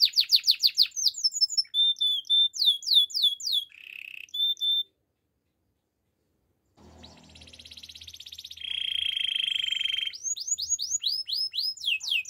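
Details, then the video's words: A Belgian canary in the morning sings quick falling whistles and a short rolling trill. After a silent pause it resumes with a pulsing roll and a steady trill, then down-slurred notes. "Belgian canary singing in the morning"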